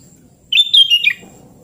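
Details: Sooty-headed bulbul singing vigorously, a single quick phrase of bubbly, slurred whistled notes lasting about half a second, over a quiet low background hum.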